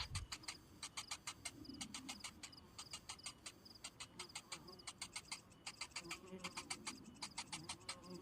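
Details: Hungry young cinnamon bittern, its parent arriving without food, keeps up a quick stream of scratchy clicking notes with brief pauses. Low rumbling and muffled background noise sit beneath a thin, high insect trill.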